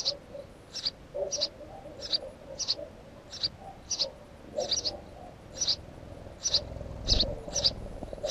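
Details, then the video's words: Repeated clipped chirps from a house sparrow near its nest, about fourteen in steady succession, with low murmuring tones and a brief rumble near the end. "Воробей домовый"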